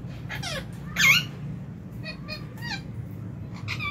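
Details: Lovebirds eating in an aviary in January 2023, with a budgie in the flock; shrill harmonic chirps, one loud burst near the start, then several quieter calls spread evenly, low hum underneath.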